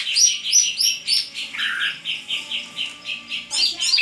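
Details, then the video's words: Greater green leafbird singing: a fast run of bright, repeated chirping notes, high and clear, about three per second, with a brief burst of squeakier notes near the end. "suara cucak ijo"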